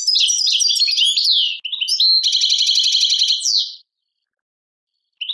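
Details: Algerian European goldfinch singing in the Tadmait style: fast jingling twitters and slurs lead into a long, even, buzzy trill lasting over a second. It ends in a falling slur before silence.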